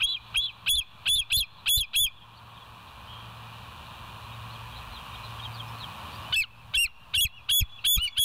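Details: Bald eagle on a West End nest cam, 29 August 2023, morning; high chittering piped notes at the start, a pause with steady hum, then another quick series of squeaky calls.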